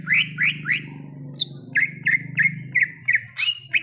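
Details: Greater green leafbird in the wild, giving rapid repeated whistled notes, each a quick rising-and-dropping slur, about three per second, with a single high thin note and a steady low hum beneath.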